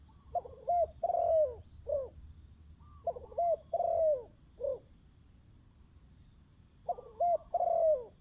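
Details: Decoy zebra dove calling to wild birds. It repeats phrases of mellow coos, each two or three brief notes followed by a drawn-out descending coo, with pauses between phrases and faint background.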